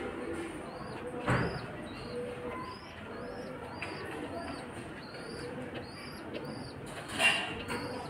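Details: Pigeon babies pecking their mother as she feeds them; clear, thin, upslurred squeaks repeat about every half second, broken by a sharp thump and a brief rustle near the end.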